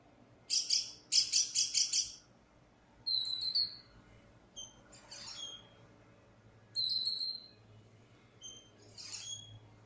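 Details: High calls from a lost black bird: two rapid rattling bursts of harsh buzzy pulses open the sequence, followed by clear whistled notes and short squeaky chirps, mostly with harmonics.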